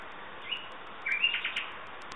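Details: Common nightingale: one faint whistled note, then after a gap a brisk sequence of clear whistles and buzzy, rattling elements, over continuous background hiss.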